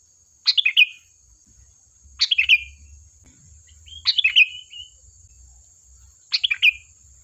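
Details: Sooty-headed bulbul singing to entice other birds into answering: four crisp, bubbly phrases of rapidly falling notes, about two seconds apart, one ending in a longer slurred whistle, over a faint continuous high whine.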